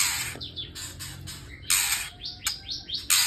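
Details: Young white-rumped shamas, harvested chicks, in the morning: loud hoarse buzzy bursts and short rising chirps, repeated irregularly about every half second, with quieter rustling between calls.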